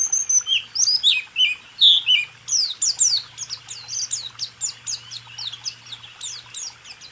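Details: White-eye song, 'rool tembak' style, recorded to train caged songbirds: varied slurred whistles give way to a steady, rapid run of thin, high chirps, with a faint low hum underneath.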